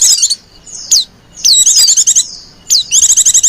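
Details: Female white-eye lure call, a short chattering burst, thin downward whistles, then quick high trills of evenly spaced notes.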